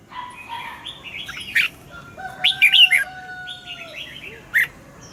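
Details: Red-whiskered bulbul morning song, double-note style, for training caged birds: a few short, bright warbled phrases stand out over steady thin whistled tones and soft background chirping.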